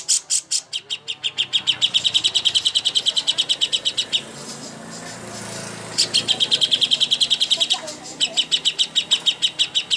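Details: Cucak hijau (greater green leafbird) contest training master song: long runs of rapid, evenly spaced high chips, broken by a hissy gap of about two seconds and a shorter pause, then the quick ticking returns.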